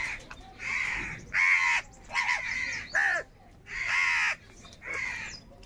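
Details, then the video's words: Several crows fighting over food give a rapid run of harsh, hoarse caws, six bursts in under six seconds, some short and clipped, others longer and grating. "Crow Birds Unity Anger and Sound | All types of Crow Sounds | কাকের ডাক Crow Sound Loudly"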